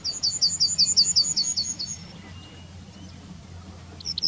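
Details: Yellowhammer in the German town of Wittlich, 2019, giving a fast run of about twelve high repeated chirps over two seconds, then a pause and a couple of short sharp notes, with low traffic-like rumble behind.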